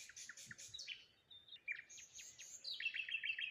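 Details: Morning birds by the water near a lone tree, chirping cheerfully: quick high notes and sharp downward chips in fast succession, ending in a bright rapid twitter, with faint rustling in the background.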